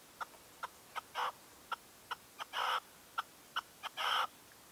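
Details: A red-legged partridge used as a decoy calls at first light, 2023. Spaced short clucking notes are broken by three longer, rougher rasping bursts.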